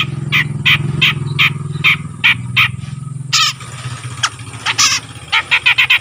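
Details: An untrained Grey-cheeked Bulbul that is starting to sing regularly gives a run of short, harsh, chattering notes about three per second, then a faster, more varied burst, over a steady low engine hum.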